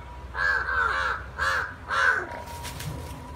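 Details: Harsh, nasal caws from two crows fighting, a long drawn double caw followed by two shorter ones, a steady faint tone underneath and scuffling noise at the end.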